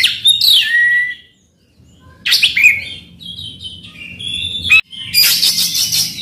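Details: Oriental magpie-robin phrases played to coax a silent bird into singing: downward whistled slurs, a silent gap, then further whistles and a harsh buzzy rasp at the end.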